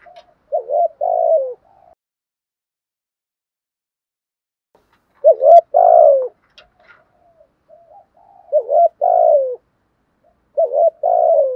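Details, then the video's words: Loud-voiced spotted dove decoy cooing to draw in wild birds. Four spaced phrases, each a stuttered pair of short notes then a longer descending coo, with brief quiet gaps. "chim cu gáy mồi thúc gù/ tiếng chim cu gáy giọng bài bản nhất/ giọng to và hay kêu rõ"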